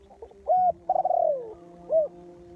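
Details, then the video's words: Lure spotted dove for trapping cooing: a brief low coo, then a longer wavering coo that slurs downward, followed by a short closing note, clear against a quiet background. "Suara Tekukur Pikat"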